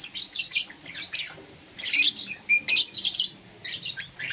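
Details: Chirping lovebirds (euwing green opaline, lutino) in the morning: scratchy high chatter mixed with a few clearer whistled notes, bursts running into one another with short breaks.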